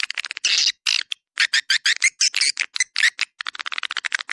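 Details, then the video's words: Swiftlet lure sound named 'Dua Bidadari', for attracting swiftlets. Short buzzy chirps repeat about four times a second, then speed up into a quicker clicking chatter. "SUARA PANGGIL WALET DUA BIDADARI"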